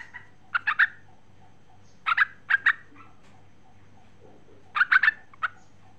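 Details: Sooty-headed bulbul female calling the male, with several short bubbly note groups: clusters of two to three chirpy notes, some paired, spread across six seconds against a soft background drone.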